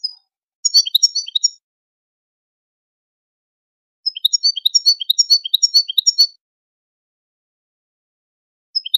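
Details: Goldfinch song: short bursts of sharp, separate high chirps, a brief cluster, a long quiet gap, then a longer, evenly spaced run of crisp notes.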